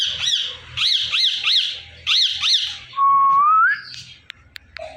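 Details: Indian ringneck parakeet, a pet bird, making morning sounds: rapid repeated shrill arched squawks in bursts, then a long rising whistle and a few faint clicks.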